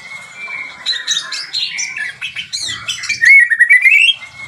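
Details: White-rumped shama singing a fast, varied medley of warbles, chatters and sweeping whistles, with a sustained whistled note beneath and a loud rising whistled flourish near the end; faint low knocks in the background.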